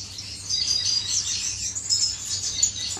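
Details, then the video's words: Courting finches inside an aviary give a steady blur of high, sibilant twitters and squeaky chirps, several birds calling together without pause. "غزل بين طيور الفنش داخل مطير"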